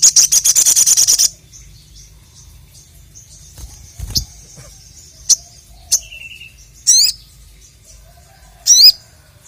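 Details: Crested jay calling out at a rival: a loud, fast, high rattle, then silence broken by scattered thin chips and two buzzy, wavering high notes.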